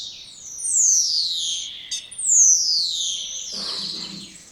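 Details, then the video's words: Song of a spotless starling: two drawn-out descending whistles, each starting high and sliding down, with a brief low rumble near the end. "Canto dos Estorninho Impecável ou Estorninho Imaculado"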